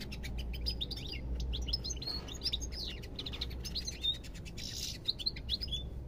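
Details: European goldfinch singing a rapid, tinkling twitter of short high notes and quick slurred trills, delivered in dense bursts with brief pauses, over a steady low background hum.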